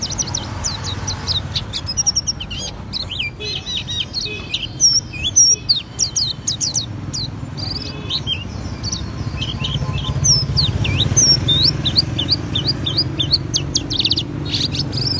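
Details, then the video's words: Auri Oriental white-eye singing energetically in the ngriwik style and showing off fill-in notes: long, dense, high-pitched twittering of chirps and slurred whistles with few pauses, over a low background rumble. "Pleci Auri Gacor Ngriwik Bongkar isian"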